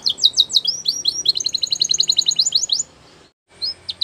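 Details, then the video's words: Belgian canary song for training from a champion bird: quick high flourishes give way to a rapid, even chatter of doubled notes, then a short pause and a few final sharp notes. "Canary Singing Champion For Training | Belgian Canary Song"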